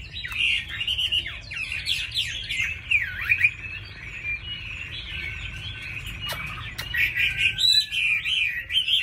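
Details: A caged Vietnamese Chinese hwamei, said to sing often and well, delivers a long, jumbled, high-pitched warble of quick slurred notes, with a few sharp clicks partway through.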